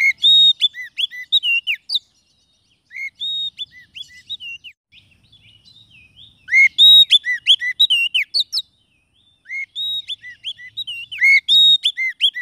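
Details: Song of a white-rumped shama used to lure wild shamas and encourage reluctant birds to sing: loud varied whistles and chirps in repeated bursts, with brief silent gaps.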